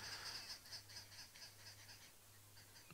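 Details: At sunrise in winter on 27 August 2017 in Djuma Game Reserve, South Africa, Arrow-marked Babblers give a harsh, raucous chorus of rapid chattering alarm bursts while mobbing a Verreaux's eagle-owl, over a steady low vehicle engine hum.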